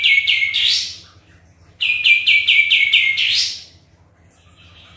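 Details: Sooty-headed bulbul in full song, used to draw a reply from other birds: a quick burst of stepped notes swept upward, a pause, then a longer six-note run ending in a rising flourish, and a faint whistle afterward.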